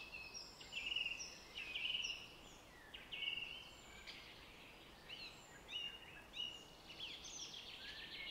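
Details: Wild birds singing in spring in the Stockholm area near Arlanda airport, with apple trees in bloom, recorded on a Zoom H1N; thin high chirps and short trills rise and fall over a steady background hiss.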